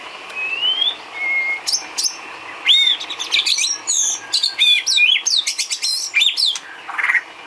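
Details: A white-rumped shama's filler song for cage-bird training. Rising whistles open into a dense, rapid medley of chips, trills and swooping high notes that carries on without a break.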